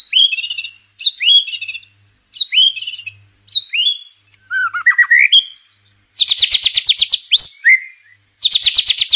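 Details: A White-rumped Shama (Copsychus malabaricus) gives a loud, varied full song: bright rising whistled phrases about once a second, then long, harsh, rapid high trills.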